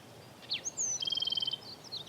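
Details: A black-throated sparrow sings a few thin, high opening notes, then a quick bright trill of about a dozen notes, on a morning in scrubby country north of Fredericksburg near Enchanted Rock, Texas; soft background hiss.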